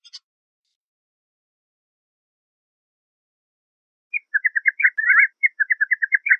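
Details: Canada jay, the gray jay, after a long quiet pause breaks into quick chattering and whistled notes, a jumbled warbling phrase lasting about two seconds.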